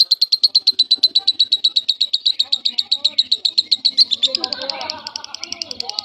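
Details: Semi-konslet lovebird song, used to train other lovebirds: a long rapid trill of high buzzy pulses, about four per second, running four seconds, then a looser burst of notes over low murmuring background chatter.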